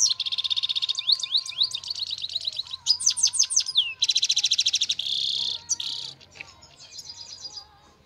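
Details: Trained European goldfinches in pairing season sing a lively, tinkling medley: rapid chirp series, short sweeping slurs and long buzzy rattles that fade toward the end, over a faint steady tone.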